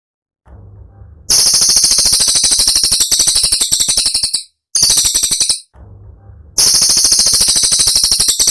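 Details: Cililin singing for songbird training: after a low hum, a barrage of quick, shrill, machine-gun-like notes begins, breaks off briefly, and returns after another stretch of low hum.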